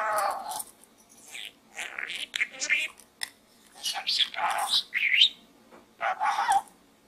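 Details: Pet budgerigar talking and chattering inside a small gourd indoors: a run of rapid, speech-like syllables and warbles, with short gaps between bursts.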